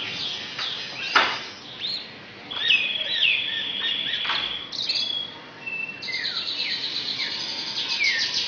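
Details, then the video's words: An Indonesian Asian pied starling sings a mimicking song with magpie-robin and canary notes: sharp downward chips, a sustained high whistle, then a fast buzzy canary-like trill near the end, over low background noise. "Jalak Suren Isian Kacer & Kenari"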